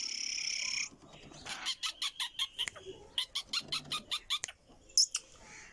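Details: Calling female black francolin, a voice meant to attract males: two quick bursts of clipped, squeaky chirps, each run of about eight notes, after an opening stretch of steady hiss.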